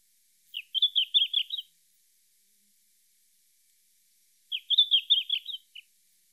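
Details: A red-flanked bluetail sings two short, high, pleasant warbling phrases about a second long, several seconds apart, against a quiet background.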